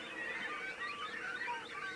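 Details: A cormorant colony during its feeding period, normally quiet birds, with grey herons nesting nearby: a dense, steady din of many overlapping squealing, honking and croaking calls with no pauses.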